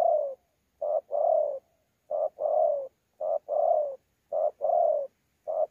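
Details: Cooing spotted dove, a wild-caught contest bird from Sa Thầy, 26 November 2019: rhythmic paired coos, short note then prolonged mellow falling coo, about one pair per second without background noise.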